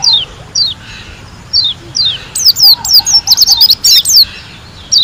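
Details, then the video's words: White-eye (pleci) from Lombok. Spaced single high downslurred notes build into a rapid run of loud ringing chirps, about two per second at first, then denser. Soft low twitters sound underneath. "KUMPULAN SUARA PLECI GACOR ASLI DARI LOMBOK‼️ SUPER NGALAS TEMBAKAN MEWAH"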